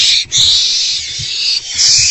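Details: Owlets in a nest box at 11:23 pm on 26 March 2024, during a food delivery, give harsh, hissing, long, breathy begging screeches, broken by two brief pauses with a few soft low thumps.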